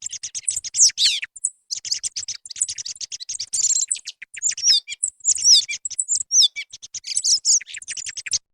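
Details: Recording of a singing song thrush used to attract birds for hunting, 2024: quick, varied chirps and downslurred whistles in short bursts, about seventy repeats a minute, loosely spaced.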